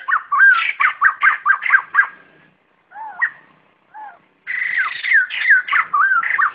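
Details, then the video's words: White-crested laughingthrush flock call, recorded clean for trapping and training decoy birds. A rapid burst of ringing whistled notes, a pause with a few softer slurred calls, then another fast run of loud, wavering whistles. "Tiếng Bồ Chao (Khướu Đầu Trắng) Gọi Bầy Không Tạp Âm"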